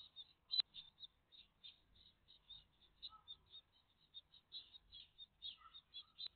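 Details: A great tit family at the nest on 14 June 2023, morning live view; rapid high-pitched twittering in uneven bursts, about two or three per second, with two loud clicks at start and end.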